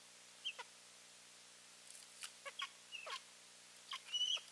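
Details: Pair of eagles calling while visiting their nest on 15 March 2023: short whistled notes, some sliding downward, scattered over a few seconds and mixed with brief sharp clicks and rustling.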